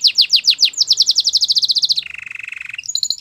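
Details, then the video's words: Spanish Timbrado canary singing a quick run of falling chip notes that speeds into a tight trill, then drops to a low, steady, buzzy roll before a brief high note. "Melodies canary bird song | Spanish timbrado singing"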